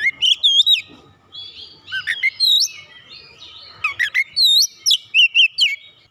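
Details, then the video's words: Agitated Oriental magpie-robin, stirred up and pouring out its isian song: bright looping whistles and buzzy slurred phrases, a pause of softer twittering, then a fast string of clear, evenly spaced whistled notes. "memancing emosi Kacer langsung panas emosi bongkar isian"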